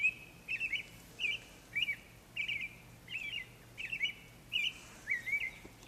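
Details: A spring morning bird, snow still around, singing after a silent winter; a bright twittering note repeated roughly every half second in a steady series, with a soft background hum.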